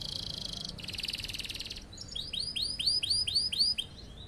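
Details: Singing canary used as a tutor for other birds: a pulsing buzzy roll in two bursts, then about eight loud, swooping whistled notes repeated roughly four times a second.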